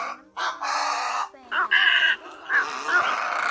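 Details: Great egret call played as a lure for night net-trapping in the August migration season: four or five harsh, grating squawks, each about half a second long, with rasping overtones and short gaps.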